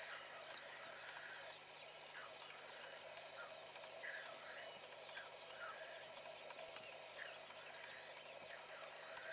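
Black grouse give a steady, overlapping murmur of low bubbling calls. Brief thin whistles from another bird break through now and then.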